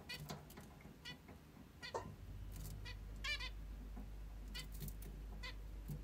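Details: Female zebra finch kept as a pet, heard in the morning: brief nasal beeping calls repeated irregularly, some in quick pairs, over a steady low mechanical hum that starts partway through.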